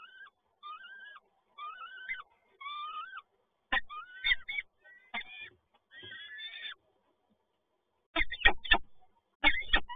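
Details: Peregrine falcons at Toruń, Poland, on 7 May 2022 as the male delivers more prey: short rising wails repeated in a series, followed by harsh calls mixed with loud knocking thumps.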